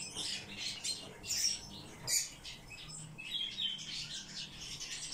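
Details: Eurasian bullfinches held as cage birds, with high clipped chirps and a few clear whistled notes, louder peaks near the second second, and soft hum below.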